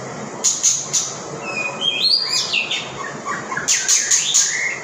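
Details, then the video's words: Songbird singing over a steady background hiss: high thin chips alternate with sweeping whistled phrases that rise and fall, with clusters of sharp notes near the start and the end. "chim hót"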